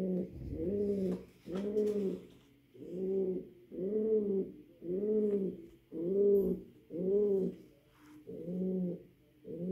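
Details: A male pouter pigeon, indoors, gives a courtship coo calling his female to mate: deep, rolling, rising-and-falling phrases about once a second, nine in a row.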